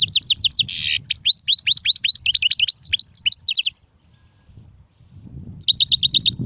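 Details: European goldfinch singing a long, busy phrase of quick tinkling twitters and a short rasping buzz, falling silent, then resuming with a fast trill; low background rumble throughout.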